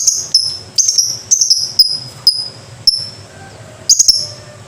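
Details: Lovebird giving shrill, high chirps that slide downward, repeated in quick pairs and short runs about every half second, with a low background hum.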